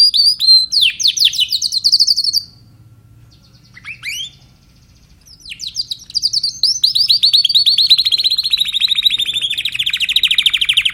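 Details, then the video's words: Song of a Timbrado canary: fast buzzy trills, a pause with a few soft rising notes, then a long rolling trill that slowly sinks in pitch. "canary timbrado"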